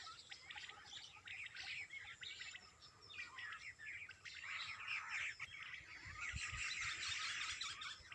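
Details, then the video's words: Birds singing in the early morning, heard more faintly: scattered high chirps and short whistled phrases rise and fall over a soft background hiss, growing busier toward the end. "Birds Best singing in early morning"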